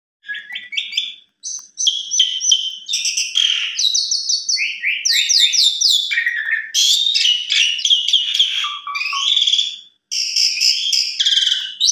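Asian pied starling pouring out a fast, varied song of chattering, whistled and buzzy phrases, high-pitched and near continuous with only brief pauses.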